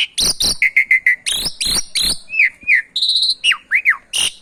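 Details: Javan pied starling song combined with canary song as a training recording: loud harsh bursts, short flat whistles, swooping slurs and a brief high trill in a busy, rapid sequence.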